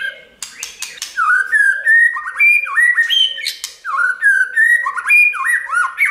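A white-rumped shama sings a rich, varied run of loud fluty whistles, rising slurs and sharp clicks, with many phrases in quick succession.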